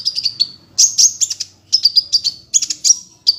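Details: Sunbird master recording used to train songbirds, lively gacor ngunci song: dense high chirps and thin sliding whistles in rapid bursts, nearly continuous, each burst of a few notes separated by brief pauses.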